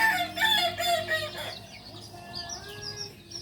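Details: Kokok Balenggek rooster, the native singing breed of Solok, kept at a Solok city breeding farm, crowing loudly with a few wavering syllables for about a second and a half, then fading into quieter, blurred calls and background noise.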